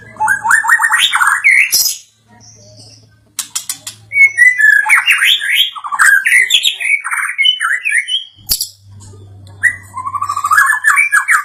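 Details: White-rumped shama made more aggressive by a played sound, delivering rich, varied warbled phrases of rising and falling whistles, broken by a short pause, with a faint low hum in between.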